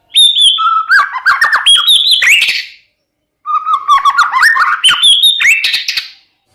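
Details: Champion white-rumped shama song used to rouse silent males: two rich phrases of nearly three seconds each, separated by a short silence, mixing pure whistles, slurred notes and dense, scratchy rapid chatter that ends in a burst.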